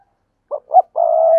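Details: Spotted dove voice: two brief soft coos followed by a long even hooting note, clear and low against silence.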